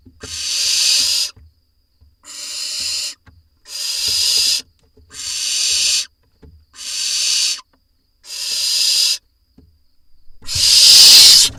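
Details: Barn owl nestlings in a nest box camera in Israel, 4 July 2021, as parents deliver voles: harsh, broadband hisses lasting about a second, repeated steadily with short silent gaps, ending in a louder rasping burst.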